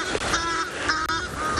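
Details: Egyptian geese give harsh, rapid honking alarm calls just after a fish eagle flies past, during an afternoon game drive on 17 September 2021 at a private game reserve in South Africa.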